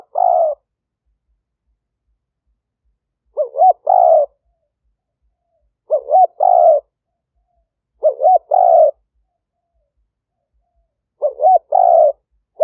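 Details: A caged decoy spotted dove calls to attract wild doves near rice fields in Roi Et, Thailand. Regular cooing phrases, each a pair of brief hooting notes and a longer buzzy coo, repeated roughly every two to three seconds.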